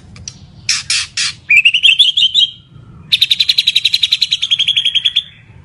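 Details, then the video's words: White-rumped shama of the Medan type, praised as a very lively singer: a few sharp notes, three harsh buzzy bursts, a warbling rising phrase, then a rapid train of about twenty clear repeated whistled notes, with a low hum underneath. "Kicau Murai Batu Medan Super Gacor Sekali"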